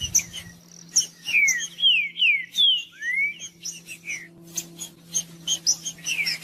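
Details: Song of a green-winged saltator, used to warm up a silent bird; breeders enter this species in song tournaments. Loud whistled notes sliding down, one sweeping upward, given in a fast series, followed by short high chirps.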